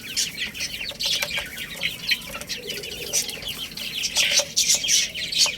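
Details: Young chickens feeding on rice, heard as a continuous flock of high-pitched peeping notes, short and downslurred, crowding over one another throughout.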